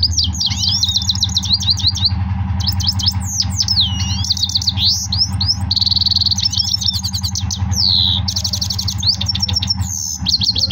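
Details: Goldfinch in full, powerful song: rapid twittering trills, buzzy notes and sweeping whistles at high pitch, nearly continuous, over a steady low hum in the background.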